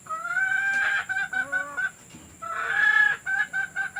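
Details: Hen sounds recorded to play for laying hens and encourage them to lay; two bouts of loud, harmonic cackling, each a drawn-out squawk followed by short stepped notes.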